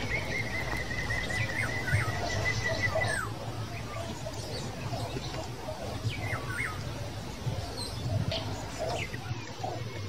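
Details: European green woodpecker, recorded 13 July 2020, gives a sustained, fairly level ringing series lasting about three seconds, then drops away, followed by a few short sharp notes over a steady low rumble.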